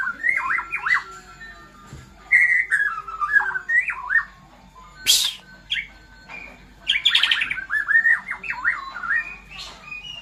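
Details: White-rumped shama, caged in Indonesia after bothering other birds, gives loud whistled phrases with steep up-and-down slurs. A sudden harsh rasping burst comes midway, and rapid stepped trills follow.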